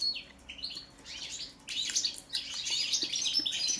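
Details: European goldfinch, subspecies balcanica, singing during a song check: a few clear descending whistled notes open, then a dense, jangling run of fast twitters and trills.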